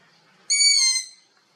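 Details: Juvenile long-eared owl recorded in Abruzzo, Italy: one shrill, strained squeal held for roughly two-thirds of a second, sharp onset and gently sagging pitch, with little else audible.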